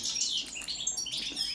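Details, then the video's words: European goldfinch of the subspecies balcanica in a brief burst of high, sweet twittering with buzzy, ringing chirps. "Kontrola pesme, štiglić, češljugar, grdelin n, carduelis balcanica"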